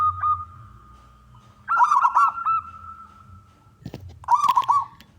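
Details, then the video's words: Male local zebra dove of contest stock, song meant to lure other doves into singing; two short bursts of trilled, stuttering coos separated by a long steady tone, with faint low rumbling. "perkutut lokal gacor suara jantan"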